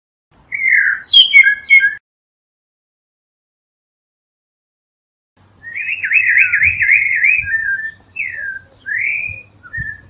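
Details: Blue mockingbird, Melanotis caerulescens, delivering a rich burst of tumbling whistles, then after silence a long rapidly warbling trill followed by two swooping slurred notes, with faint low thumps beneath.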